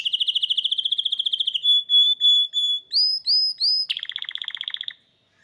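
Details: Hybrid canary song: a fast high trill, then steady pure whistles, a few rising slurred notes, and a final buzzy rolling trill, all loud and clear.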